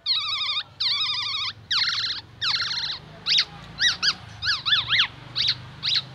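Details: Black-naped oriole singing borrowed oriental magpie-robin material: four long bursts of rapid warbled trills, then a string of short sharp downslurred whistles spaced roughly every half second, over a faint low hum.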